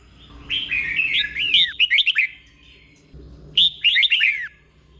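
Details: Red-whiskered bulbul song in the doubled เบิ้ล style, slow and clear for caged birds to learn; two phrases of rippling, bubbly slurred whistles with a pause between them.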